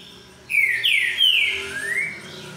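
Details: Green-winged saltator singing the 'boiadeiro' song type: a brief phrase of loud, rich, slurred whistles, with a rising note, a long sweeping whistle, then a final upslurred note, over a quiet background.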